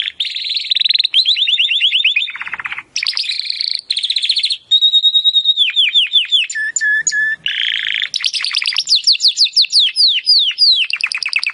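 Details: Timbrado canary in continuous song for training birds: a varied run of rolled trills, a low gurgling roll, clear held whistles, descending slurred notes, and fast rising sweeps.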